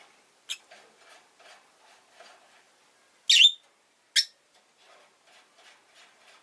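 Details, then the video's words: Rosy-faced lovebird on a relaxed afternoon: two piercing, high shrieking chirps stand out about a second apart, among soft faint chirps and quiet gaps. "Lovebird Chirping Sounds"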